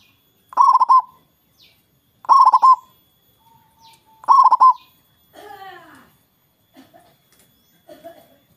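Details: Local zebra dove singing loudly to lure rivals into calling back: three rolling, burry coo phrases about two seconds apart, followed by softer, lower, descending calls and faint chirps.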